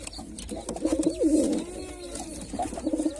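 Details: Performing male pigeon, white, producing a deep gurgling coo with stuttering pulses and a bending swoop, then a quieter second phrase, heard in a small room with faint background noise.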